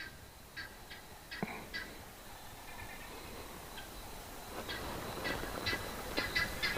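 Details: A guinea fowl in background thicket gives harsh, rapid cackling notes in short repeated bursts, Pridelands Conservancy, Greater Kruger, South Africa, late afternoon around 17:00 on 19 November 2021.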